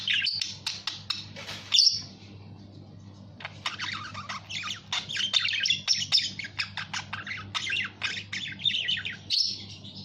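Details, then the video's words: Budgerigar chattering in quick scratchy bursts of chirps, clicks and squawks, pausing briefly near the two-second mark and again just before the end, with a low constant hum underneath. "SUARA BURUNG PARKIT"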